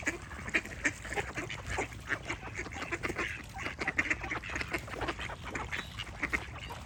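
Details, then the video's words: Dense flock of ducks producing continuous short, rasping quacks, with louder bursts scattered throughout. "Relaxing Duck Quack Sound Effects"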